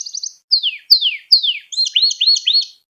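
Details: Canary singing a training song for young birds: a brief high trill, three loud descending swooping notes, then a run of rapid looping upward-curving notes, clear and without background sound.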